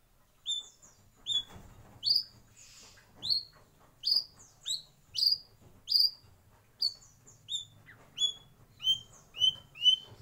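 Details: White-rumped shama singing in a breeding aviary: clear whistled notes, each sliding upward, repeated at roughly one-second intervals with small variations, over a faint low background hum.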